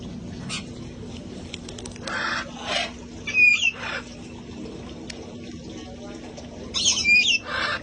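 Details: Outdoor parrots from a rescue flock having fun: scattered rough squawks and a few sharp whistled notes separated by quiet gaps, with a faint steady hum throughout.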